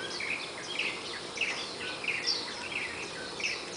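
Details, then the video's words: Warbling white-eyes from a family that nested in a Malabar chestnut tree outside a bedroom window give thin, high twittering chirps, about one or two a second, over a steady hiss; their first dawn chorus comes daily at 04:45–04:50. "神奇的綠繡眼_神準鬧鐘Morning Call"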